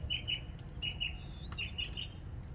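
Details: Singing after a February rain, a northern mockingbird repeats a crisp, high note in doubled and tripled groups with brief gaps. Low background rumble runs throughout.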